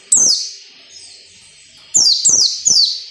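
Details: White-eye ngalas nembak song, a training recording for captive birds: a single shrill falling shot, a second of faint high twittering, then three rapid loud downslurred shots in quick succession.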